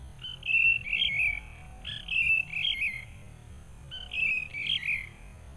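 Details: Wild sooty-headed bulbul drawn in during trapping with a decoy bird, fiercely agitated on facing a rival: clear bubbling, slightly descending warbled phrases, three bursts roughly two seconds apart, over low rural background noise.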